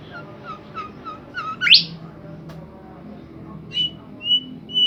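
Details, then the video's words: Bimoli bird singing actively: a run of short clipped mid-pitched notes, then a sharp rising sweep, followed by three high, clear, level whistles spaced about half a second apart. "burung Bimoli gacor"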